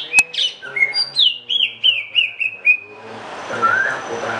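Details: Greater green leafbird delivering a rapid series of about eight clear whistled phrases, each a short downward slur, stepping lower through the run before fading into soft background hiss.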